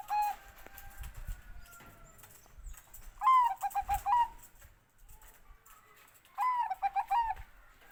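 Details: Bangkok-type zebra dove song: two clear phrases, each a high opening note followed by a quick run of stepped, bubbling coos, spaced about three seconds apart, with faint rustling and low background noise.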